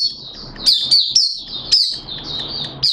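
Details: Kept Malaysian white-eye in open 'buka' song, Sunday 21 June 2023. Thin, high, sliding chirps are sung in steady succession above a low continuous background rumble.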